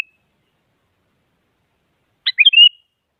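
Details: Sooty-headed bulbul phrase aimed at provoking a rival to sing: after a long silence, one quick burst of sharp chirps running into a bubbling whistled ending.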